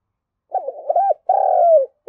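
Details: Decoy spotted dove cooing to stir wild doves to respond. Broken, wavering low coos lead into a drawn-out descending coo. A new coo begins just as the sound cuts off.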